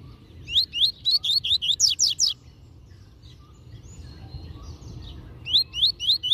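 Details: A master-singer pet double-collared seedeater (coleiro) sings the tui-tui zel-zel song: a fast burst of high, sweeping whistled notes, a pause of about three seconds, then it starts again, over a faint background hum.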